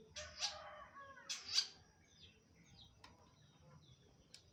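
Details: Long-tailed shrike singing actively, recorded 2 October 2025 at 05:23: two loud, harsh, scratchy bursts within the first two seconds, followed by faint, thin, high notes and short chirps over a quiet background.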